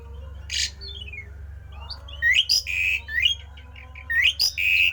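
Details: Rare strange Javan pied starling song used to spur other starlings to sing: a harsh burst and a descending series of thin notes, then a run of loud rising whistles and held notes near the end, over a low hum.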